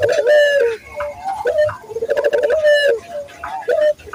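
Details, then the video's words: Barbary dove coos from a lure recording meant to get local doves cooing quickly: strong, rolling coos with rising openings and long vibrating level notes, about three phrases over four seconds, little background noise. "pancingan burung puter gacor, melatih burung puter lokal agar cepat gacor"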